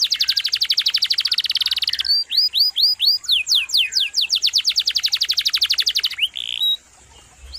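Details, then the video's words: Canary with a long, varied song: a rolling trill of rapid high notes, then hooked rising whistles and descending sweeps about four per second, ending with a short buzzy note and quiet. "Masteran KENARI GACOR"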